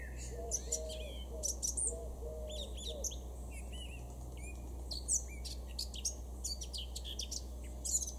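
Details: Male Eurasian blackcap singing in a garden in Weener, East Frisia, far northwest Germany, June 2022: quick, varied warbling phrases with clear fluty notes, soft low cooing early on, over a steady low hum.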